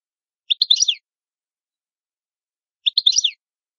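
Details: Two short twittering bursts from an Italian goldfinch (cardellino), bright clustered chirps about two seconds apart, with silence between them and no other sounds.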